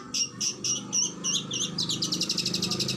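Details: Oriental magpie-robin (kacer) singing in a master training recording of fierce 'tembakan' bursts: bright high notes repeated about four per second, turning into a rapid buzzy trill, over a low hum.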